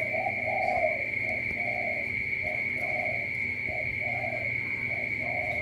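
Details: Spotted dove from Cà Mau, Vietnam, with a 'tú' style voice, giving a run of low, soft coos: short rounded notes in uneven pairs and singles through the clip, over a steady high-pitched whine and faint background hiss.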